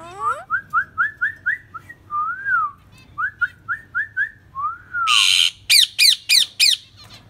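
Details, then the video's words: A happy pet parakeet gives quick rising whistles, about three a second, with a few longer slurred notes, then a burst of harsh squawks and sharp chirps. "Happy Talking Parrot Singing-Bird Parakeet"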